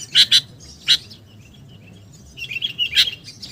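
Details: Sooty-headed bulbul lure sound: a few sharp chips, a quiet gap, then a softer bubbling whistled phrase ending in one loud chip.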